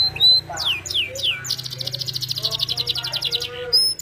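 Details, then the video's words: Canary singing: a few falling whistled slurs, then a long fast buzzy roll of high notes, followed by lower chirps and a final sharp high whistle. "Suara Burung Kenari Gacor cengkok Merdu"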